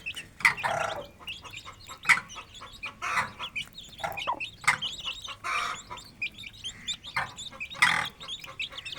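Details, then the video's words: Aseel hen and chicks feeding in a free-range village yard; steady chirps and soft clucks roughly every second, layered over busy lower peeping. "Aseel Hen & Chicks Feeding & Playing 🐔 || Happy Village Life || Cute Chirping Sounds"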